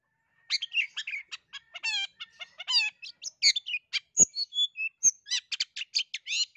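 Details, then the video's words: Long-tailed shrike in lively, nonstop gacor song, played to coax a reluctant shrike into singing; a fast run of varied chirps, harmonic whistles and sharp clicks with brief gaps, bright and high-pitched, no other sounds. "SUARA CENDET UNIK GACOR COCOK BUAT PANCINGAN CENDET MALAS BUNYI"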